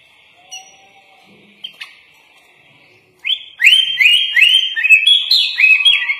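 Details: Gacor kutilang, the sooty-headed bulbul, singing its full-isian master song: faint isolated notes first, then a loud series of clear, upslurred whistled phrases repeated about twice a second, each with a bright ringing top.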